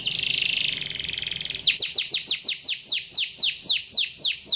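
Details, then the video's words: Canary singing as a lure to set caged canaries singing: a rapid buzzy trill gives way to a steady run of about thirteen sharp descending whistled notes, roughly three per second, clear and loud. "CUIT CUIT BUNYI PANCINGAN KENARI AGAR GACOR"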